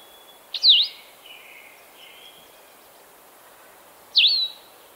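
Blue-headed vireo singing two short, sweet, slurred phrases that dip and rise, separated by a pause of over three seconds, with faint background hiss.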